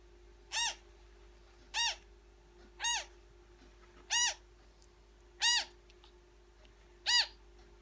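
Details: Being fed, a newborn African grey parrot repeats six short harsh rasping calls, rich in harmonics and slightly arched, at a slow uneven pace over a steady hum.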